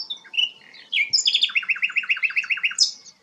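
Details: Melodious song of a sikatan londo flycatcher, a bird kept as a song tutor for shamas: slurred whistles leading into a steady run of about twelve quick, evenly spaced descending notes, ending on a high buzzy phrase.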